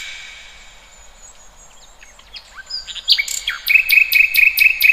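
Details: Birdsong in the wild, starting with faint scattered chirps, then a loud run of sharp high notes repeated about twice a second over a steady whistled tone.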